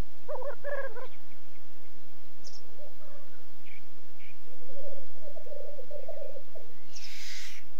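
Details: Black grouse at a courtship lek in the French Alps: a brief burst of pulsed bubbling at the start, then softer low cooing stretches, ending in a sharp hissing sneeze.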